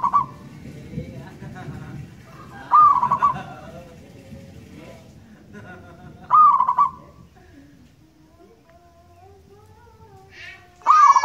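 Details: Local wild zebra dove cooing: short phrases of a rising note and rapid rolling pulses, given four times at irregular gaps. Low rumbling noise and faint drawn-out calls sit in the background.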